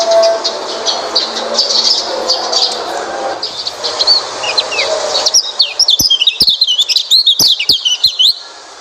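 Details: Oriental white-eye song for encouraging a quiet white-eye to sing. Busy high-pitched bird chatter first, then a loud rush of quick, squeaky, rising and falling twitters near the end.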